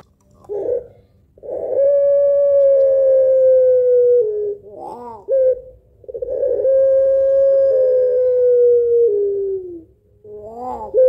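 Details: Pelung-type spotted dove giving its long, melancholy rhythmic song for luring other birds: two drawn-out level coos of about three seconds each, slowly sinking at the end, each followed by short rising-and-falling notes.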